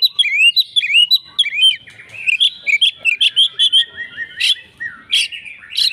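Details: Oriental magpie-robin, a fighter, answering in vigorous fighting song: looping slurred whistles repeated in quick succession, then a run of evenly spaced short whistled notes with a few sharp, noisy bursts.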